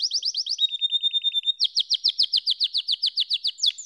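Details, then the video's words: Domestic canary sings a rapid chattering trill, a smooth held whistle, then a long, regular series of bright downslurred notes repeated steadily about six per second. "Canary SINGING Like a Pro with Proven Tone Techniques!"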